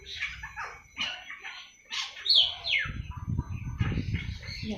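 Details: Seven-month-old awar-awar starting its early twittering: quick scratchy chirps and a couple of sharp falling squeaks, irregular and uneven, with low rumbling noise later on.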